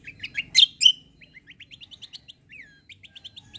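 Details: White-eye of the kecial kombo type, a fighting bird in top form used for song training, opens with loud squeaky chirps, then a fast run of short ticking high notes with one slurred downward whistle.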